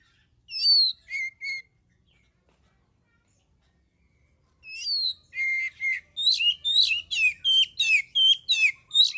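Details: Oriental magpie-robin in full song, meant as a lure to set other birds singing: three bright whistled notes, a long silence, then a quickening series of harsh, chattering phrases repeated almost three times per second.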